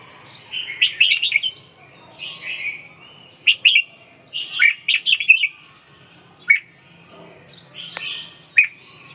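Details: Red-whiskered bulbul giving bursts of bright, slurred chirping notes in quick clusters, separated by short pauses, with a faint low hum underneath.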